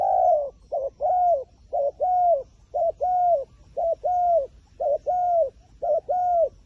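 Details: Steady, evenly spaced cooing from a wild pigeon that seems wary of the camera, each phrase a clipped note and a longer falling coo, repeated about once a second.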